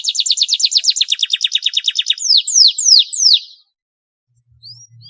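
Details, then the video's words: A canary sings a luxurious, chatty phrase used to stimulate quiet canaries; rapid evenly spaced high trill notes for two seconds, then four loud slurred downward sweeps, then near silence. "kenari gacor panjang mewah buat pancingan kenari males bunyi"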